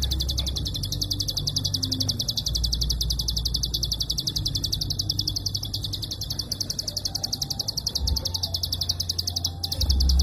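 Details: Long unbroken prinia klik sequence, nearly pauseless as intended for songbird training: quick high clicking repeated several times a second throughout, low background drone beneath.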